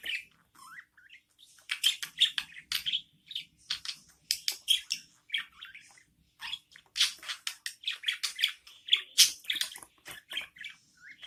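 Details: Budgerigar chicks, newborn, fed by their mother: bursts of rapid, raspy, high chirps and squeaky twitters, clustered in busy runs separated by short pauses, with a faint low rumble beneath.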